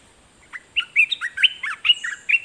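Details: Olive-winged bulbul kept as a decoy, singing vigorously at wild birds. A lively run of rich, bubbly whistled notes, rising and falling and clustered into about eight quick, loud phrases, stands over a faint high hiss.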